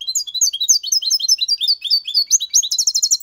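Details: Six-month-old European goldfinch singing the clean Malaga copy style with its motifs, complaints and ornaments: a rapid, continuous run of high, sharp twittering notes, slurred and chattering, ending in a quick buzzy trill.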